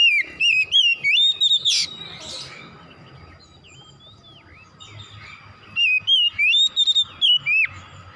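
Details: Oriental magpie-robin (kacer), played as a stimulating therapy to make the bird sing vigorously; clear whistled phrases wavering and rising, a burst of several notes at the start, a pause, then another run of whistles near the end.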